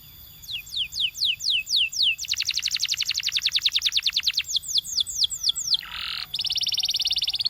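A canary sings in quick, repeated phrases: sweeping whistled slurs, then a fast rolling trill, more slurred notes, a brief buzzy burst and another rapid trill.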